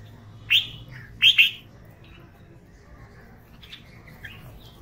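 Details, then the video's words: Red-vented bulbul calling with one crisp high chirp, then a quick doubled chirp, and faint softer notes trailing off afterward. "Red Vented Bulbul Sound"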